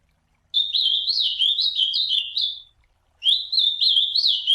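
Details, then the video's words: Ultramarine grosbeak singing its classic song in nature: a rich warbled phrase of rising and falling whistled notes lasting about two seconds, then a short pause before a second phrase begins, over a quiet background. "AZULÃO CANTO CLÁSSICO CHAMANDO E CANTANDO NA NATUREZA"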